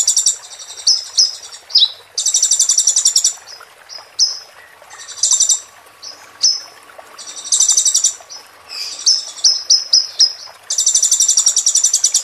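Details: Olive-backed sunbird (konin) 'roll tembak' training song for moulting caged birds: loud buzzy rattling bursts alternate with short thin high whistles and chips, repeated several times.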